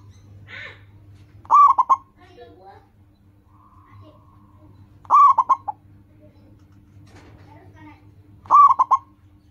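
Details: Zebra dove, local type, singing as a lure for caged doves: three quick bursts of stuttering coos roughly three and a half seconds apart, with a brief faint call and low hum in the background.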